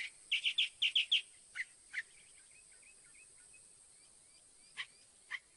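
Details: A Northern mockingbird repeats a quick buzzy phrase five times, then moves to lower single notes and soft slurred twitters. Two isolated chips follow after a pause.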